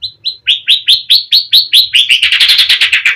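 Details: Oriental magpie-robin in gacor singing style, played to provoke a rival to answer: a fast series of rising notes near four kilohertz, about two each second, speeding into a dense rapid trill at the end.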